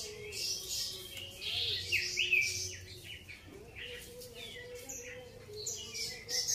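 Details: Grey-cheeked bulbul (cucak jenggot) sings a quick, irregular run of high chirps and short slurred whistles, bursting louder then fading, with a constant low hum beneath.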